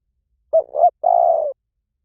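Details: Spotted dove giving a 'liw tan' style call for training doves to answer: a short hoot, a swelling second note, then a sustained pulsing coo. Quiet otherwise.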